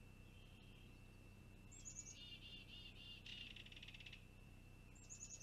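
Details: Long-eared owl chick waiting for a parent to bring food, live cam recording from 26 June 2020: high descending squeaks, a run of rasping buzzy notes, then a longer grating burst, and another high squeak near the end, over a steady faint whine.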